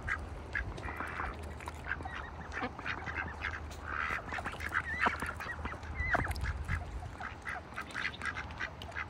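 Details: Farm ducks in a bucket in wintertime give dense, overlapping chatter of short quacks, with a couple of rising, squeaky calls among them and a constant low rumble.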